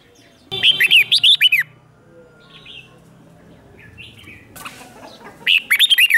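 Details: Red-whiskered bulbul used as a decoy to call wild birds, giving two rapid phrases of about six looping, warbled notes each, separated by a few seconds of quieter faint chirps.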